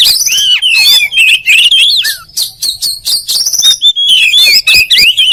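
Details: Kacer, the oriental magpie-robin, in fast varied song: looping whistles, quick repeated chips in a brief rattling run, and a downward slurred note, all tumbling together at a rapid pace with nothing else audible.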